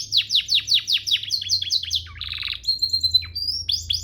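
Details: Canary singing a training master song: a steady series of descending whistled sweeps about four per second, then a dense buzzy roll and a sustained high whistle before more sweeping notes.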